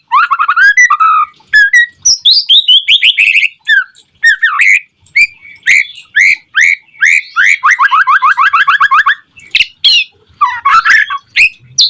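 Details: Long, continuous white-rumped shama song, used to provoke other shamas to sing: a rich mix of warbled slurs, sharp chips and rapid repeated trills, changing phrase every second or two without stopping.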